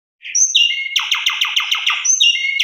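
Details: Javan pied starling song used as a lure to set other starlings singing, complete with fill-in phrases: high whistles, then a buzzy rattle of about eight rapid pulsed notes, ending in a bright whistle.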